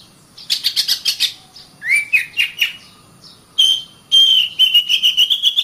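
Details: Caged-bird training song of an Oriental magpie-robin (kacer): a burst of fast buzzy chirps, then rising whistled phrases, a pause, and a long bright whistle followed by quick repeated chattering notes.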